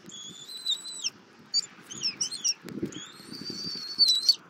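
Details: Bald eagle eaglet in Southwest Florida, 08:41 on 24 February 2024, being fed armadillo by its mother: a long high whistle, a cluster of quick sliding chips, then another drawn-out whistle, over faint rustling.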